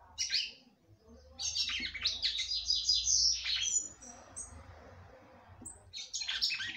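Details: Female red-cowled cardinal, a breeder's bird, singing a lot to stimulate her male: bursts of high, rapid chirps and sharp whistled notes, a pause with thin high notes, then another burst. A low steady hum runs underneath.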